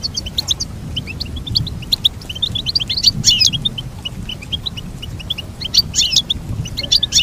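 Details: Goldfinch song used for teaching a goldfinch to sing: rapid, busy twittering of high chirps and short trills, nearly continuous, with louder clusters around the middle and end, over a low steady rumble.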